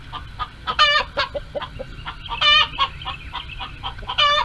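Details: Hens on a farm, calling in the coop as they try to lay eggs: three loud, nasal, harmonic-rich screams about every one and a half seconds, with short clucks and grunts scattered between them.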